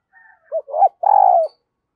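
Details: Spotted dove kept as a decoy, cooing to provoke wild doves: a soft lead-in, two short rounded notes, then a long vibrating coo, close and clear.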